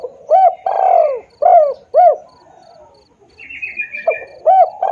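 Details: Spotted dove cooing for luring birds: quick repeated hoots and a long falling coo. Another bird adds a brief, high, buzzy chatter midway, and a steady high insect pulse sounds in the background.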